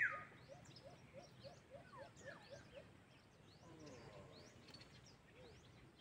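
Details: White-eared brown dove calling in the wild during a cage-trap hunt: a soft run of even, low hooting notes in the first three seconds, nearly buried in chirping birds and insect hum.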